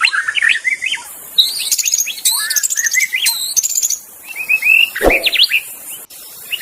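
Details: Magpie-robin in the wild forest, pouring out a varied song of rising and falling whistles and rapid high twittering runs, with a constant shrill insect drone behind and one brief low thump.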